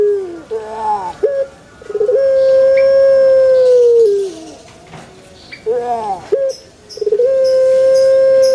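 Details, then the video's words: A male Barbary dove repeats a pattern of short rolling, wavering notes followed by a long, level, hollow coo that sinks at the end; two full sequences are heard. "SUARA ASLI BURUNG PUTER JANTAN"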